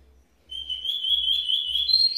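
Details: Redoblao song of a Cuban bullfinch from Villa Clara, Cuba: one sustained, buzzy, high rolled trill that holds steady and edges slightly upward over about two seconds.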